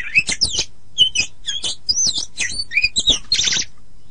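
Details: Oriental magpie-robin master song used to train songbirds: short bursts of sharp, twisting whistles and chirps in quick succession, ending with a harsh buzzy rattle.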